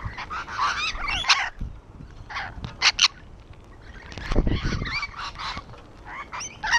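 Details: Rainbow lorikeets sitting on a wall squawk in harsh, nasal bursts, with a cluster of calls at the start, two sharp shrieks near three seconds, and more chatter toward the end over a low rumble.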